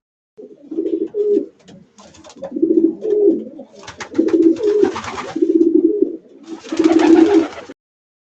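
A pigeon gives low, throaty, rolling coos in phrases about a second long, broken by bursts of scratchy rustling or flapping noise.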